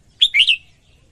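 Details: Female red-whiskered bulbul singing to stimulate males: one short bright phrase of three quick slurred notes, the first high and clear, then two lower warbled notes, over a faint low background hum.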